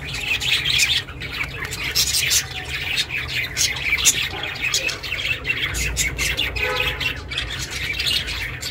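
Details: A household budgerigar chirps busily, recorded for budgies that live alone: quick high tweets and harsher squawky bursts tumble together in a steady stream over a faint low drone.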